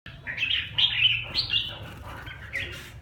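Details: Red-whiskered bulbul, a kept bird being brought back into form, sings short warbled, slurred phrases rising and falling in pitch, several bursts over three seconds, over a steady low hum.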